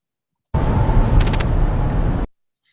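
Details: Volcano hummingbird from Costa Rica: a thin, high whine rising slightly then falling, with rapid buzzy pulses in the middle made by a tapered, notched inner tail feather, while part of the sound is vocal; low rumbling hum underneath.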